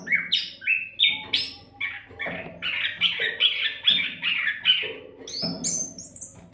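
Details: Oriental magpie-robin, or kacer, singing nonstop as a model for other songbirds; dense chain of rich whistled and slurred notes at mid to high pitch, closely spaced, ending on rising high whistles, low hum underneath.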